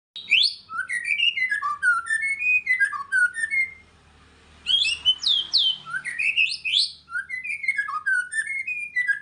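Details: White-rumped shama in full song: rapid, varied phrases of clear whistles, slurs and high chips that rise and fall. The song pauses for about a second midway, then resumes with sweeping upward notes, over a faint low hum.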